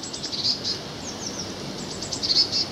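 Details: Blue tit singing in woodland near Ringstead chalk pit, Old Hunstanton, Norfolk, on a pleasant winter day, 13 February 2019: thin, very high notes in quick clusters and short downward-slurred trills over a steady outdoor hiss.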